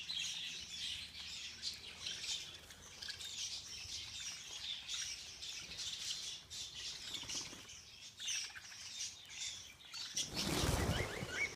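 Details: Budgerigars in a feeding frenzy keep up continuous high chirping and squawking, ending in a loud burst of rustling or flapping noise near the end.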